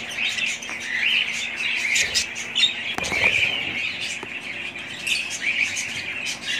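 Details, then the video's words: Pet budgerigars chattering together in a dense, continuous warble of high chirps and squeaks, with a few sharp clicks and brief wing-flutter sounds around the middle. "ali family budgies parrots"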